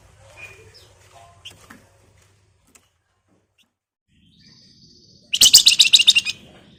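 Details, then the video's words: {'text': 'Lure recording of a singing flamboyan: sparse faint high chirps, a short level whistle, then a dense second-long rattle of rapid, harsh, high buzzy notes.', 'note': 'caption'} "Burung Flamboyan Gacor Ngebren Rapat Nyerecet Nyiul Cocok buat Pancingan"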